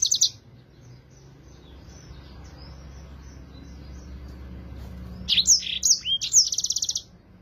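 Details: Yellow-fronted canary singing, kept for tutoring other songbirds: a brief bright high note at the start, a long quiet pause, then a clear burst of sharp whistled high notes ending in a fast, even trill.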